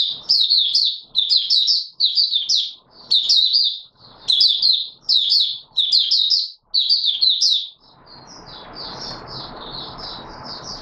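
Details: Oriental white-eye, or Mata Puteh Raja, singing openly on 24 March 2022: about a dozen quick, high chattering phrases about once a second, then softer notes over steady hissing noise.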